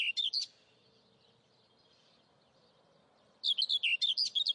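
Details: Nestling Saker falcons recorded by webcam at a nest in Hungary on 11 May 2012: brief volley of sharp, high-pitched squeals, quiet background, then a longer run of about eight shrill notes.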